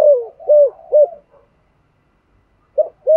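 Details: Spotted dove (cu gáy) thổ-voice coo for stirring other doves: three loud descending arched coos about half a second apart, a quiet gap, then the phrase begins again.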